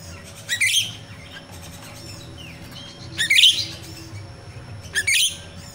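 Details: Natural myna song (jalak Rio-Rio) used as a lure for training caged birds: three loud, rasping high bursts with brief whistled notes between them over a soft background hum.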